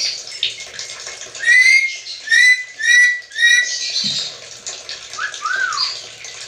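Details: Black-capped lory, said to talk like a human, giving four loud, drawn-out whistled notes that slide slightly, about one per second, then a softer rising-and-falling whistle. Steady hiss in the background.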